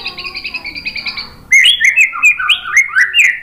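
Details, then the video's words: Murai batu (white-rumped shama) lure song: a soft, rhythmic repeated buzzy trill, then a loud burst of rapid twisting whistles and slurred notes. "MASTERAN MURAI BATU biar EMOSI NYAUT jadi GACOR BONGKAR TEMBAKAN ¦ PANCINGAN MURAI"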